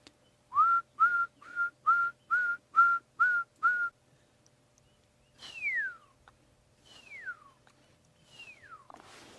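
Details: In the background at sunrise on a June 18, 2016 morning safari drive in the Sabi Sands, a pearl-spotted owlet gives eight short, level whistled notes in quick succession, then three long whistles sliding steeply downward.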